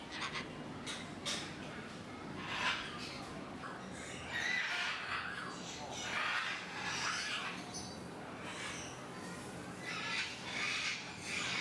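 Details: Sulphur-crested cockatoo giving harsh, grating screeches in a loose series, each a broad raspy squawk, some drawn out, over a steady background hiss.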